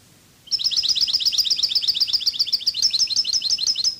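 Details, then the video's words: Cadiz song of a European goldfinch for tutoring birds: a dense, fast trill of sharp high tweets sustained through nearly the whole clip, slightly varying toward the end. "CD CANTO DE JILGUERO CADIZ شريط لغة الحسون الإسباني قادس"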